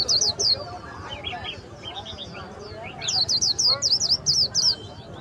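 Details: A very tame caged Swinhoe's white-eye at a bird market warbles close to the camera in rapid, high, twittering bursts of short slurred notes, about four per second, over market voices.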